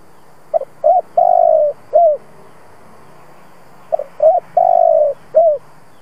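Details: A decoy spotted dove, used to set other doves cooing, repeats its phrase twice about three seconds apart: quick short notes, a long hollow coo, then a falling final coo.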